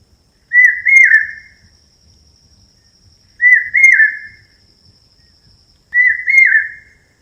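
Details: A bird gives a clear, mid-pitched whistled phrase of two linked, slightly falling notes, repeated three times about every two and a half seconds, with silence between.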